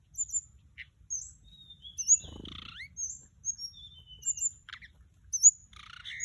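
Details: Lure song of a Mugimaki Flycatcher: thin high slurred whistles scattered through the clip, one lower rising buzzy note in the middle, soft background hiss.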